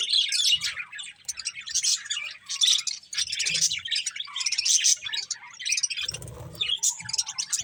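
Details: A group of budgerigars eating corn keeps up bursts of high, grating chirps and twittering, pulsing about twice a second, with light rustling and a dull knock near the end.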